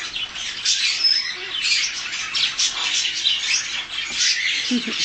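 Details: Young Harlequin Macaw, two months old, giving nonstop coarse, grating squawks in overlapping rough bursts, steady and loud throughout, with a few lower notes near the end.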